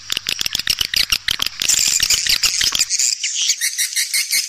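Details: Swiftlet attraction call used to draw swiftlets: fast rattling pulses over a faint steady hum, giving way to a continuous high, hissing twitter of many overlapping chirps.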